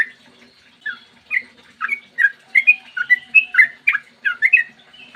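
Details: Morning song of a yellow-vented bulbul in long 'ropel panjang' runs, used to coax other bulbuls to sing. Begins quietly with scattered notes, then builds into a fast chatter of warbled, up-and-down whistles.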